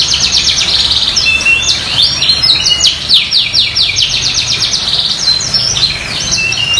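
A canary sings a long, unbroken run of fast, high trills and rolling chirps, one phrase after another with no pauses.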